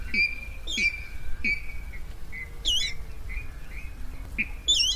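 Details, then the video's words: Night-time net-trapping lure of rail calls: short, clipped, high notes and drawn-out thin whistles, with several wavering, bubbling squeals, over a steady low rumbling hiss. "tiếng gà nước đánh lưới đêm"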